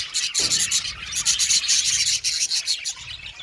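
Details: Budgies in a colony aviary: rapid, buzzy, high chirping in quick pulsing bursts, with one low thump early on.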